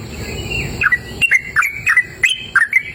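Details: Outdoors in cool, open nature, a sooty-headed bulbul starts up after a moment of soft background hiss, then delivers crisp paired chirps, rising and falling, roughly three or four per second.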